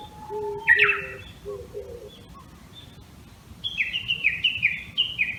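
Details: Japanese bush warbler at dawn on 26 May 2019 in a Tama, Tokyo bamboo thicket: a whistled song ending in a high burst, a few low soft notes, then a quick series of repeated sharp, dropping valley-crossing notes.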